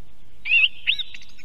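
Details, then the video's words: Song thrush in Estonia, recorded by an osprey nest cam: a warbled whistled note followed by quick, softer chips and twitters, fading into a faint echo. "Певчий дрозд (Turdus philomelos). Song Thrush"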